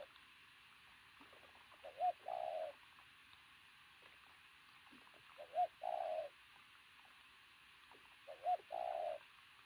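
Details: Wild-caught pigeon of strong, athletic build giving a loud coo: three widely spaced cooing phrases, each a short looping note followed by a longer, level coo, over steady hiss.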